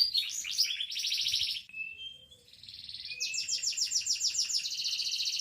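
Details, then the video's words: Singing canary (local kenari): fast high trills, a thin falling whistle, then a rattling series of rapid sweeping notes merging into a steady bright roll. "Singing Canary"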